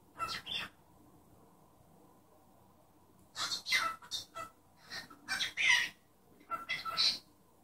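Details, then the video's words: Pet cockatiel talking and imitating its owner's sneeze: soft hissing pairs at first, then a pause, followed by a run of rapid chattery, noisy syllables with faint whistled tones, heard over a steady room hum. "Calopsita falando e espirrando"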